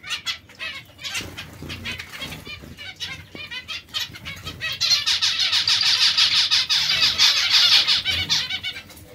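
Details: White zebra finch: scattered clicks and short nasal calls, then a sustained, dense run of rapid buzzy stacked notes repeated about three times a second, loudest in the second half, with other finches chattering.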